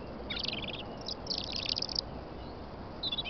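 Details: European robin singing on a snowy morning in England: high, thin, tumbling phrases of quick warbled and tinkling notes, two phrases over two seconds, then a short fragment, with a soft steady background rumble.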